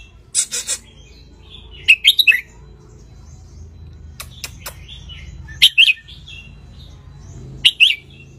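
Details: Red-whiskered bulbul from Ratchaburi, a wild bird sunning itself, recorded as a tutor for young birds; short chirpy warbled phrases come in scattered bursts, with a brief noisy rustle near the start and low background rumble.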